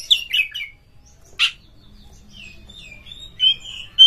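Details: Kacer, the Oriental magpie-robin, in a lure recording meant to stir rival kacer into mating-mood singing; a few bright chirps, one sharp burst, then soft thin whistles ending in a clear piercing note.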